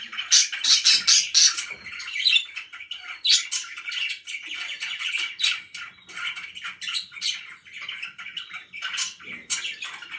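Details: Contented pet budgerigars burst into loud, rapid clicking chirps, then settle into a continuous buzzy, chattering warble with occasional sharp squeaks.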